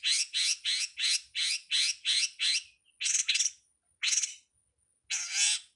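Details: Long-tailed shrike (cowet, codet, pentet) on a master recording for training songbirds. Rough, grating scolding notes repeated evenly about three per second, then a few spaced, longer harsh bursts.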